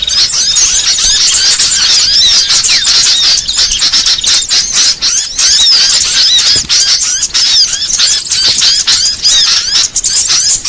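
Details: Lure call used for trapping small birds such as sunbirds, ioras, tailorbirds and white-eyes: dense, continuous high chattering and squeaky twittering from many small birds, rapid overlapping chirps with brief dips in loudness.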